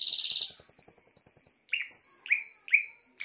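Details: A Spanish timbrado canary delivers a fast high metallic trill, then a long thin whistle with three rising slurred notes repeated about every half second beneath it.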